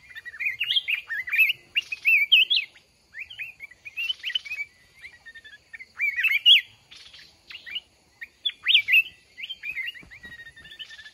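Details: Trapping session pitting a wild mountain red-whiskered bulbul against a month-caged decoy: steady run of sweet, fluty, bouncing whistled phrases over eleven seconds, with faint ticking and rustling between.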